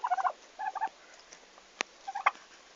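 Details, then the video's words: Turkeys arriving at a farm on 11 August 2015 make quick stuttering call bursts, three short groups in under three seconds, with one loud click in between. "Meie talu esimesed kalkunid"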